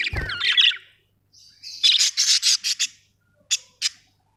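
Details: ['Budgies open with a warbling, scratchy phrase over a low thud, then deliver a quick run of rasping chattered notes, ending with two isolated sharp squawks.']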